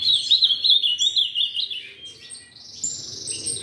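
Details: Ultramarine grosbeak, a captive-bred bird, singing a rich, fast warbled phrase of sweet, slurred notes, then a short pause and a higher, clearer phrase.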